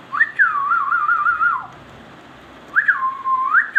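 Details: Ringneck parrot whistling two clear, warbling phrases near the same pitch. Each starts with a rising note, wavers quickly up and down, then drops at the end, with a short quiet gap between them.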